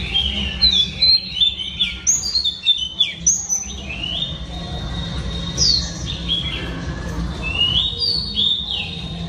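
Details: Female oriental magpie-robin singing to stimulate males: varied clear whistled phrases, some slurred downward and others held flat, in quick bursts with short pauses, over a steady low rumble of background noise.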